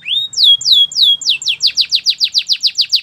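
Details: Song of a Belgian canary used for training birds: three or four drawn-out falling whistles, then a brisk tour of short sharp notes repeated about six times a second.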